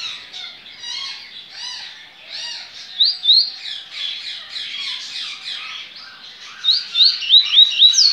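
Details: Caged double-collared seedeater at a breeding facility, 23 November 2019, Baiano song: after background squeaky chirping, loud rapid upswept whistles arrive in two bursts, the second a quick series of five or six sharp notes.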